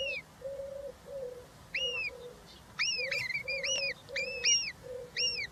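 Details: At a European roller nest holding three chicks, 20 June 2023, during feeding with a giant grasshopper; arched whistled calls, some in quick pairs, sound over a repeated low steady hum of short tones.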